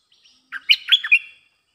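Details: A single rich, warbling bulbul phrase of several quick liquid notes, lasting under a second, after a faint soft note. The song serves as a lure for wild birds.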